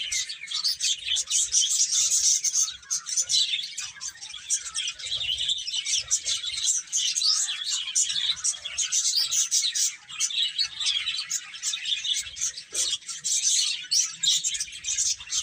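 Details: Baby chickens at play and feeding, a long, constant wash of sharp high chirps from many birds, with rapid pulses of loudness throughout.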